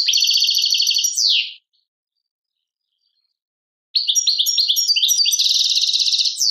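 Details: European goldfinch, Algeria, Tadmait song: a buzzy trilled phrase ending in a falling slur, a two-second pause, then a renewed burst of bright twittering and a rattling buzzy trill.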